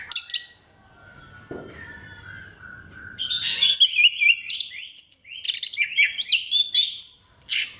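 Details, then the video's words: Orange-headed thrush singing to draw out song from other thrushes: soft opening whistles give way to a loud, continuous stream of rapid, varied whistled notes, trills and sharp slurred phrases. "KICAUAN SEBENING KRISTAL ANIS KEMBANG GACOR PANCINGAN MANJUR"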